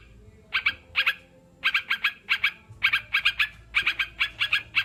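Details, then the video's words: Sooty-headed bulbul song played as therapy to encourage caged birds to sing: bright, bubbly notes in quick pairs and triplets, bursts separated by short pauses, over a faint low hum. "Terapi burung crucukan biar cepat bunyi"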